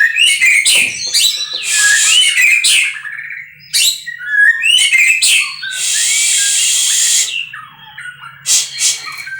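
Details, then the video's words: Captive-bred white-rumped shama in full song: loud whistled phrases and chattering notes alternating with harsh, noisy hissing passages. "muray batu suara mantap"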